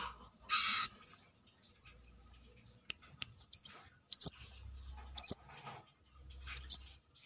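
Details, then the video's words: Brown-throated sunbird, locally kolibri kelapa or manggar, singing actively outside its cage in a sharp besetan style: four loud, sharp, rising high whistled notes spaced about a second apart, preceded by one brief harsh noisy burst, with faint low hum. "KORLAP (Kolibri kelapa)Manggar gacor luar sangkar...masteran besetan kerasa."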